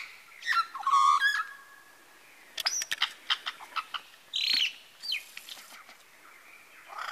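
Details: Mimicking various birds, a male lyrebird at Masons Falls in Kinglake National Park gives a mixed sequence: a warbled phrase, a run of sharp clicking notes, then buzzy bursts and a rising whistle.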